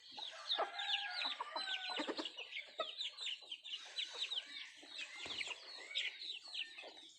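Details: Native country chickens (nattu kozhi) eating food: a dense chorus of short, high, downward-slurred chirps overlapping continuously, mixed with lower clucks and scattered sharp pecking taps.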